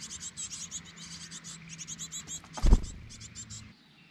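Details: Japanese tit (Parus minor), one of two parents ceaselessly carrying food to chicks in a roadside nest, Kamogawa, Bōsō satoyama, Chiba, 4 May 2021: a rapid stream of thin, very high chips over a low rumble with one thump.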